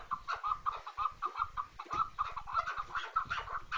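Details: Quieter chukar partridge clucking, a quick irregular series of short throaty notes with a slightly noisy background.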